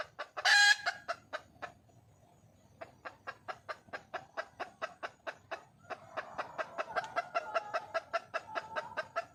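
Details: Red junglefowl hen calling for a mate: a loud harsh burst near the start, then a brief lull before a long train of quick, dry clucks that grows fuller and slightly louder toward the end.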